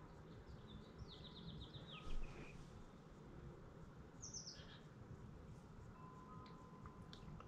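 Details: A titmouse from a family nesting again in a backyard tree in 2024, in a new branch after storms took the old nest branch, gives quick, high chattering runs of descending notes, a second burst following, over a low rumble.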